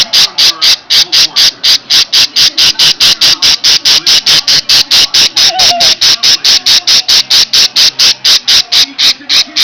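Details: A pet parakeet sounding its "alarm" whenever someone comes close: loud, harsh, grating screeches, repeated rapidly about four times a second without pause.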